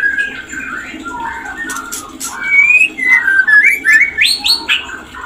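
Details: White-rumped shama (murai batu) mating song used to raise breeding condition in caged birds: varied warbling and chattering, then loud rising whistled notes in quick succession, with clicks and background noise.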